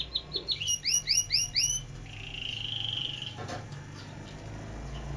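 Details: Canary, known locally in Quetta as kaneri, a kept singing bird: a quick run of five rising, whistled upslurred notes, then a buzzy, even trill held for over a second, with faint room noise behind.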